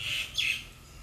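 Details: Bird giving a single short high chirp: a steady bright note, then a quick rising-then-falling squeaky flick, fading out within half a second.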